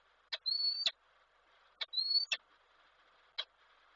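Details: Peregrine falcon, a male calling his mate, recorded by an online nest camera in Koszalin, Poland, on 23 December 2023. Two slightly rising whistled notes with sharp clicks before and after them, then a single click, over a faint steady hum.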